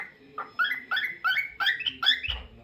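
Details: Cockatiel singing indoors: a run of about seven rising whistled notes, each sliding upward and repeated roughly every third of a second, getting slightly higher toward the end.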